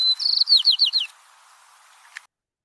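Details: White-crowned Sparrow song, an individual's fixed lifelong song repeated over and over: a clear whistled opening note, then a rapid series of buzzy, descending slurred notes, all in about a second.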